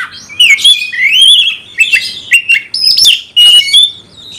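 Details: Oriental magpie-robin, a cage bird, in song meant to spark fighting: short bursts of sweet whistled notes swooping up and down, separated by sharp clicks and harsh accents.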